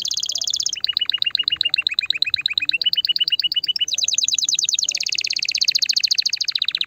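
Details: Canary singing, played to stimulate a female: a high trill, then a long run of evenly paced two-part notes, stepping up into a faster, higher rolling trill that fades slightly.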